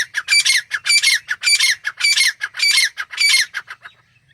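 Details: In their jungle habitat, a wild Grey Francolin pair gives a rhythmic series of loud, buzzy squawks, about two per second, ending abruptly.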